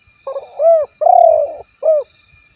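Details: Spotted dove cooing: a soft low lead-in, then a rising-and-falling arched coo, a longer purring rolled coo, and a final shorter arched coo. All notes are low and mellow, with faint high background hiss.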